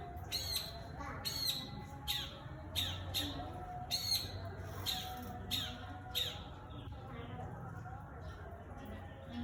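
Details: Long-tailed shrike in full song, replying to wild birds, captured by iPhone: a run of rasping, downward-swept squawks in quick irregular bursts, with a steady low hum and faint background noise beneath.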